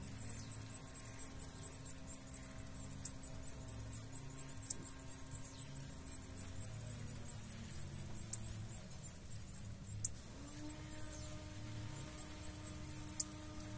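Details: Nestling blue-black grassquits begging while a pair of parents tends them, a fast, unbroken run of shrill high-pitched cheeps, several per second, with a faint steady low hum underneath.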